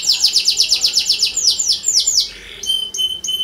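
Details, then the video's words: Lively canary song used to prompt other canaries: a fast rolled trill of swept notes slows into broader descending sweeps, followed by a few clear, high piping notes. "PANCINGAN AMPUH Suara Kenari Gacor"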